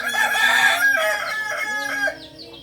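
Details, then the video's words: Kokok Balenggek chicken, Solok's native singing fowl, farm-raised in Indonesia: a loud, strained crow with fast pulsing syllables stepping down, fading after two seconds into soft chirping of small birds. "Ayam kukuak balenggek ayam penyanyi asli solok"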